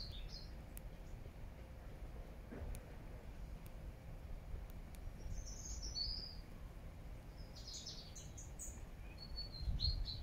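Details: Wild birds singing and calling in Regent's Park, London, in September 2024: scattered high, thin chirps and short twittering bursts from several birds, mostly in the second half, over a steady low rumble of city background noise.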